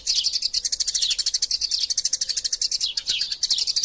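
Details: Vigorous fighting chatter of Eurasian tree sparrows, a tutor recording for songbird training: an unbroken stream of rapid, sharp, high chirps, several per second, overlapping and steady in loudness throughout.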